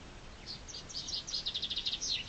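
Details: Short burst of chaffinch song in spring, a high accelerating trill of clipped, evenly repeated notes that quickens toward the end, over light background noise.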